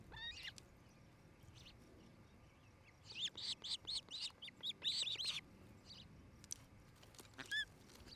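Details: Osprey at its nest in Charlo, Montana, a pair preparing to breed: a few scattered high chirps, then a two-second burst of rapid, loud whistled notes, then a couple more single chirps.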